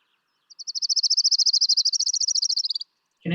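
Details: An Orange-crowned Warbler in summer in southwest Idaho sings a fast, high, even trill that wavers and drops slightly in pitch at the end.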